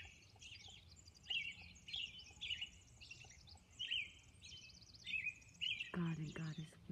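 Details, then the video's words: Robin at dawn on Orcas Island singing a run of whistled phrases, with some higher buzzy trills among them. A person starts speaking over the final second. "Dawn Robin Song"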